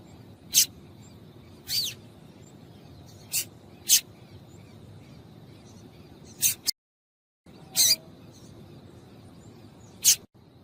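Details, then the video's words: A female yellow-bellied seedeater gives scattered short, scratchy high chips to excite males, including one slightly drawn-out note, with a brief dropout midway and a steady faint tone in the background. "Piado de Fêmea de Papa capim para Esquentar Papacapim"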